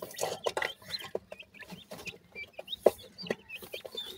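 Grey francolin chicks give thin, high peeps in quick scattered bursts, mixed with low, soft clucking notes throughout.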